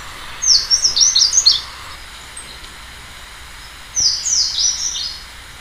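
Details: Slate-blue seedeater singing two high, rapid phrases of sweet slurred whistled notes, each about a second long and separated by a three-second pause, over a quiet background hiss.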